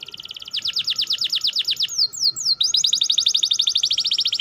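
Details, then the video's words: Fast-rolling canary song in the 'ngerol' style: quick runs of repeated bright high notes, a few slurred descending whistles midway, then another rapid even trill, over a steady low hum. "gacor jamin paut ngerol cepet bunyi||bikin kenari malas bunyi seketika"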